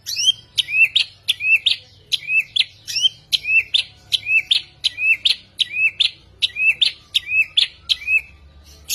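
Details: Samyong singing vigorously: a steady series of sharp, high chirps, each sweeping upward then dipping, repeated a little over once per second against a quiet background.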